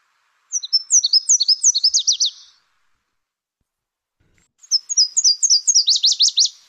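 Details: Two complete songs of a Nashville Warbler, the 'car starting' warbler, about four seconds apart. Each opens with high, lilting seesaw notes and ends in a quicker, lower string of downslurred chips.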